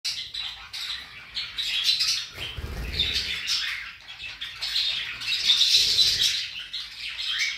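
A rainbow lorikeet chatters in shrill, scratchy bursts, mimicking the warbling of budgies.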